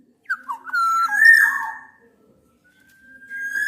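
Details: Black-naped oriole, part of a mix of Javan and Sumbawa males and females, challenging a rival: rich fluted whistles dipping and rising, a long sustained nasal note, then a pause and a rising steady whistle; faint low hum.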